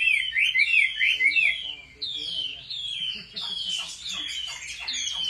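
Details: Chinese hwamei trained at home, singing competitively: quick repeated zigzag whistles at the start, then longer, slurred, descending phrases with short rattling notes underneath.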